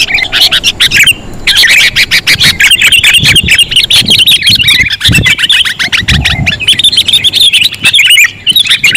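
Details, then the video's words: Sooty-headed bulbul call used as a trapping lure: busy overlapping chirps and bright warbles run almost without a break for nine seconds, with a short lull near the start and faint low rumbling behind. "Suara pikat kutilang sangat sensitif"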